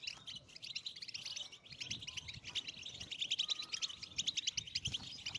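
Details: European goldfinch group mating song for encouraging breeding: rapid high twittering chatter with tinkling trills, a brief plain whistle midway, and sharp clicky notes growing louder toward the end.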